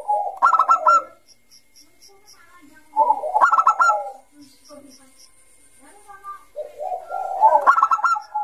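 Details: Perkutut Bangkok, the zebra dove, in full gacor song meant to lure young doves: three bursts of rapid rolling, bubbling coos about three seconds apart, with quiet high twittering from other birds between phrases.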